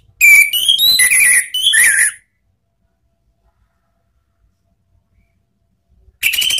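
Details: Orange-headed thrush lure song in ngeplong and ngeriwik styles for training caged birds: a two-second phrase of clear, stepped whistles moving up and down, then silence and another phrase starting.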